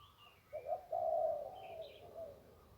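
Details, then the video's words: Zebra dove near the Ping River in one-kuk style: a couple of quick clipped notes, then one long vibrating coo that fades gradually, with soft distant chirps. "นกคูอ่างเจ้าเสน่ห์ริมปิง ได้นกโล่ง 1กุกขันเพราะๆ"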